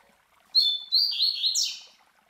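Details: Classic Tui Tui Zel Zel phrase from a master Coleiro, played as a model for young Coleiros and Papa-capins; two clear high whistles, a buzzy wavering middle, and quick falling slurred notes to finish.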